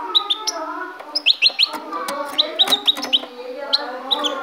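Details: Goldfinch kept as a pet, originally from Ecuador, recorded in 2016: rapid bursts of thin, sharp high chirps, several in quick pairs and triplets, over a low droning background with faint voices.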